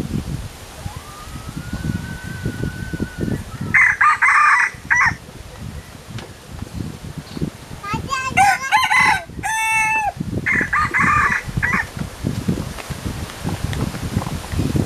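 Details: Kept pair of Philippine red junglefowl crowing repeatedly: three harsh, strongly banded crows, the middle one layered with a second bird's tonal note, plus a faint rising whistle early on and constant low rumbling noise.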